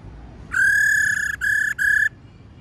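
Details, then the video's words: Female laughingthrush calling to rouse male birds: a long steady whistle followed by two shorter matching notes, evenly pitched and loud against faint background. "Khướu mái rò | khướu mái ro ro kích khướu bổi cực nhạy. tiếng khuou mai ro"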